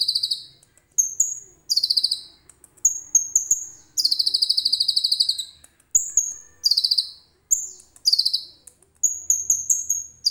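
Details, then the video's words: Common iora delivering a full song of cililin-type phrases, phone recording: short descending whistles, buzzy trilled bursts and a long rapid rattle mix in quick, varied high-pitched phrases with brief gaps. "KONIN GACOR FULL ISIAN CILILIN JERNIH"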